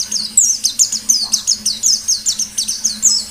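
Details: Pleci white-eye singing 'ngalas' style, a lure recording to set other birds singing: a fast unbroken run of very high, downward-slurred chirps, about four each second, over a faint low hum.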